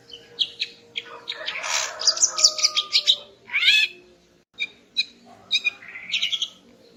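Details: Female greater green leafbird singing in the morning to excite the male: a dense buzzy warble, a rising sweep, then spaced chips and a short trill, with a steady low hum behind.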